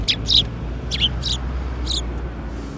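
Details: Sparrows coming to be fed at a Tenmangu shrine on the afternoon of 13 April 2021: a few short, bright chirps in quick bursts, then a pause and two more chirp groups, over a low steady hum.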